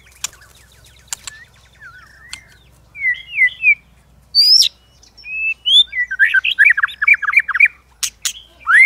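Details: White-rumped shama, stirred to fight-singing with many voices and constant clicking tail flicks; sparse sharp clicks at first, then whistled slurs and a high sweeping note, building into a dense run of rapid warbled trills and rising whistles.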